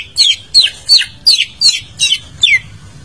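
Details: Greater green leafbird song, a lure for a bird that has stopped singing: seven sharp, clear, downward-slurred whistles, evenly spaced about every half second, with a quiet background.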